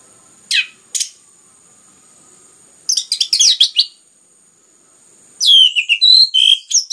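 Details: Orange-headed thrush, locally anis merah, singing loud and continuous as a lure to stimulate other birds: short high whistled notes, then a dense burst of quick varied phrases, then a sweeping rich run; quiet pauses between.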